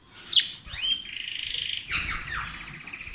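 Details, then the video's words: Pair of caged lovebirds billing and sharing food: a sharp squeak, then a long trilling buzz and falling chirps over background hiss. "Gli inseparabili | 20minutes Love birds Sound"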